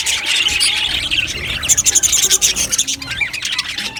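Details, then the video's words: Aviary of budgerigars giving busy scratchy chatter, and partway through one bird breaks into a fast thin whistled trill of repeated notes before the general twittering resumes. "Amazing Budgies chirping sounds | Budgies parakeets sounds"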